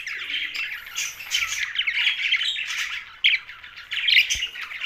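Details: Harsh, buzzy chirping from a young budgie, run together in dense phrases, with a brief pause and one sharp click near the end.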